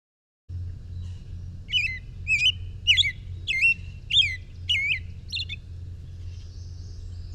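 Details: An American robin in Ohio sings seven clear, warbled phrases, each rising and falling, about one every half second, over a low steady hum.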